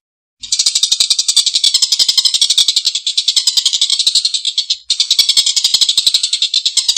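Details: A Collared kingfisher in strong form gives a long, coarse laughing call. Dense rasping pulses start after a brief silence, dip once near the middle, then pick up again, with crisp clicks throughout.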